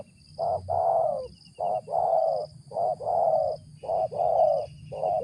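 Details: Spotted dove (tekukur) calling in the deep 'ngeruk' style valued for decoy birds: low husky coos in pairs, a short note then a longer falling one, repeated about every second with steady rhythm.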